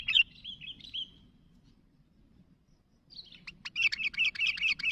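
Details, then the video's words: Sooty-headed bulbul calling to companions: one short warbled phrase of slurred chirps, a silent pause of about two seconds, then a dense, lively run of rapid bubbling notes. "Suara Burung Kutilang Gacor Memanggil Kawan"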